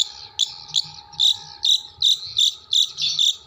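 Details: Long-tailed shrike from Jember singing a mimicry repertoire that includes kuntilanak, sparrow and tengkek buto material. Short bright chirps near the top of its range repeat unevenly about every half second, with a steady low hum behind.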